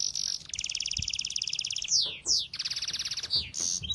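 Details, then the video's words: Singing bird delivering a long, continuous, rapid buzzy trill broken by several quick down-slurred swoops, the trill resuming after each. "Canto de pássaros"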